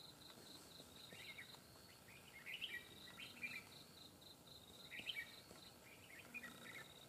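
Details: Red-whiskered bulbul, a wild bird with a forest voice, caught in a fighting trap against a decoy bird. Faint, quick warbled phrases recur every one to two seconds over a steady, high chorus of crickets.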